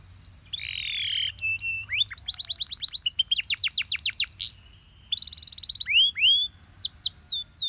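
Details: Belgian canary singing in the morning: rising whistles and a buzzy rolled note open a fast run of descending sweeps and rapid trills, closing with bright upslurred whistles.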